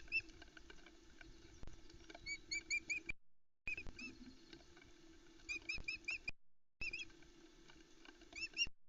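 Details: Osprey family at a Loch Arkaig, Scotland nest around 10am on 4 July 2020: quick bursts of four to six sharp, rising whistled chirps over a low hum, as the female screeches and the chicks squeak while the male brings a trout.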